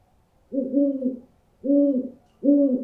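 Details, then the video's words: Owl hooting, used to scare birds: low doubled hoots with a harmonic above, three hoots spaced about a second apart in a quiet setting. "Owl Sounds To Scare Birds"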